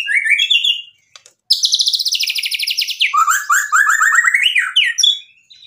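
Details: White-rumped shama in vigorous song filled with mimicry, meant to get other birds to answer: a rising whistled phrase, pause, then a long fast ringing trill followed by a rapid warbled run.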